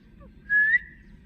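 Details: A pet green rose-ringed (ringneck) talking parakeet gives one clear, slightly rising whistle lasting about a third of a second, over a low indoor hum.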